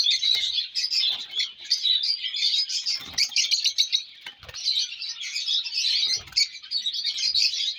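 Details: Colour lovebird chicks in steady, crowded high-pitched twittering, sharp chirps piling over one another, with a few soft taps underneath.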